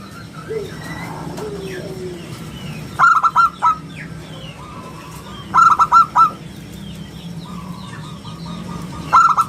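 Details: Zebra dove (perkutut lokal) recorded as lure and tutor song, giving short bursts of rapid stuttered notes about every three seconds, with quieter background calls between.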